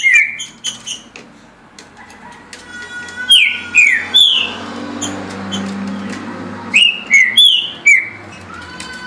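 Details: A green-winged saltator singing about 17 songs per minute: loud, clear whistled phrases of three or four slurred notes in bursts every few seconds, over a faint low hum.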